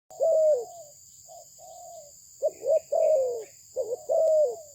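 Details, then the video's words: Spotted dove of good Malaysian breed, prized for its fine voice, giving low mellow cooing phrases: a drawn-out coo, a short note, then paired quick coos ending in a longer falling coo, over a steady high electronic whine. "លលកធ្នាក់ម៉ាឡេស៊ីពូជល្អ សម្លេងល្អ លេងល្អ"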